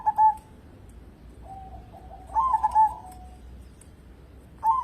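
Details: A local zebra dove in strong song, used as a lure to prompt other birds: a short stuttered coo, a long low level coo, then a louder burst of quick pulsed notes and another phrase beginning.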